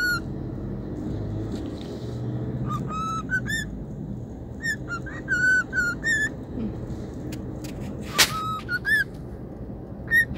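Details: Pet cockatiel whistling a tune while out on a trip, happy to be outdoors: clear rising and falling whistled phrases around mid pitch, grouped in bursts, over steady low traffic rumble and a sharp click.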